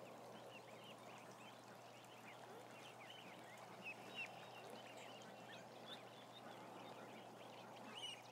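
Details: Crowd of roughly 1,000 ducklings filmed by a live cam, scattered thin rising-falling peeps coming from many birds at once over a constant low hum and soft background rustle.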